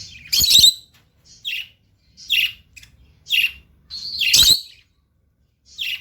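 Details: Lutino lovebird chirping: bright piercing notes in quick succession, two louder scratchy, buzzy outbursts among them, with short pauses between the phrases and nothing else audible.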